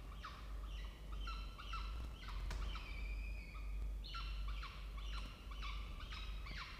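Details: Peregrine falcon family at a university water-tower nest box, Orange, New South Wales, Australia: quick bursts of sharp, downward-slurred harsh calls in two clusters, with a brief knock in the middle and a low drone throughout.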